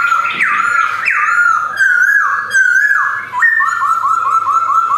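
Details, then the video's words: A male Black-throated laughingthrush with white cheeks, kept caged in Yogyakarta in 2021, gives loud whistled phrases. Each note slurs downward, then ends in a quick run of short repeated whistles. "BEAUTIFUL POKSAY BIRD GARRULAX CHINENSIS SINGING"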